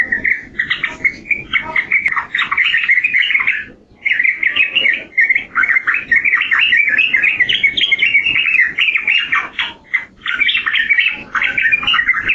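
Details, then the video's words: Yellow-vented bulbul (trucukan) pours out rapid bubbling, chattering phrases in long runs, dropping out for short breaks near four and ten seconds before resuming. "Suara Burung Trucukan"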